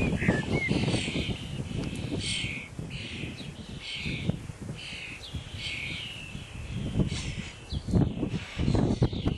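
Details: Starling babies at feeding time, a rapid series of short scratchy begging calls, about four per second, mixed with heavy low thumping and rustling noise.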